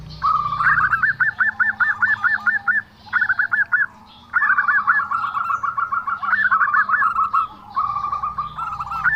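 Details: Unusual zebra dove call, a fast string of clipped, evenly spaced notes broken into several phrases, the longest running almost two seconds before a brief gap.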